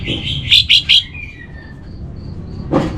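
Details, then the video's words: Orange-headed thrush (Geokichla citrina) master song for training kept birds: three loud, sweet warbled notes in quick succession, then thin high whistles and a brief harsh note, over a low background rumble. "Menstabilkan Burung ANIS MERAH Dirumah Baik EMOSI & Birahi dengan Mendengarkan Kicauan Masteran ini"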